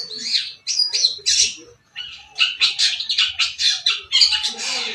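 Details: White-breasted long-tailed shrike from Sapudi with a shaggy crest, uttering loud, grating squawks in quick bursts, several rasping notes per second with brief pauses between phrases.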